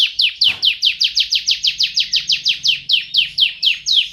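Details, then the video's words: A canary sings a steady series of loud downward-sweeping whistled notes, about four per second, evenly repeated throughout, with a brief click early on. "BEST Singing CANARY bird"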